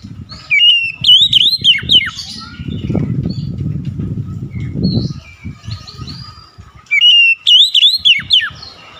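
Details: Two loud oriental magpie-robin phrases of rapid looping whistles frame a stretch of low rustling or fluttering noise and softer chatter.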